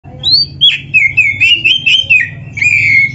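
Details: Oriental magpie-robin singing in full gacor style with full isian (imitated phrases), recorded as a masteran for training other birds: rich whistled phrases around the middle pitches, slurred and warbling, delivered continuously with short breaks.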